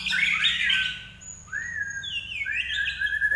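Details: Common iora singing energetically, a recording meant for training songbirds at home; bright slurred whistles sweep down, then long level whistled notes rise and hold, with a faint low hum underneath.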